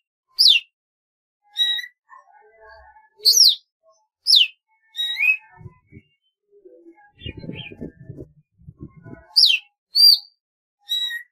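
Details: Golden-fronted leafbird giving spaced, sharp, high downslurred whistles and short chirps every second or so. Soft low knocking and rustling sounds come in midway.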